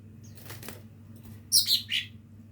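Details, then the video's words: Young lesser green leafbird learning to sing: a few soft rustles, then a quick burst of bright, high chirped notes, followed by one lower squeaky note, over a faint low hum. "cucak ijo mini belajar bunyi"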